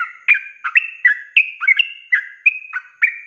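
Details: Rapid ropelan song from a sooty-headed bulbul, made as a training recording for cage birds: loud, crisp whistled notes in varied slurs, some doubled, following one another briskly without a break.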